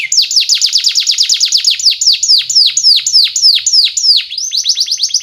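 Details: Canary song used as a lure to tutor young canaries into long, persistent singing; a fast run of sharp, high downslurred notes repeated several times a second, then a brief pause and a rising buzzy series.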